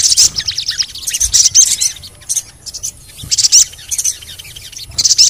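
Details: Sogon, the crimson sunbird, in audio to provoke singing: bursts of rapid high chirps and squeaky trills alternating with brief quieter pauses, strongest near the start and middle.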